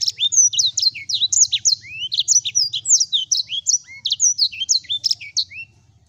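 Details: Sanger singing energetically: a fast, unbroken run of sharp chirps, high whistled slurs and rising and falling notes, some notes dropping lower, over a faint low hum.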